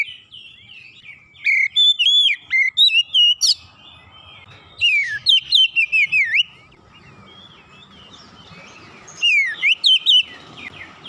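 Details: Oriental magpie-robin (kacer) singing gacor, energetic and continuous, after one lure broke its silence: three bursts of fast whistled and chipped notes with swooping slurs, separated by quiet gaps of several seconds; steady faint hum.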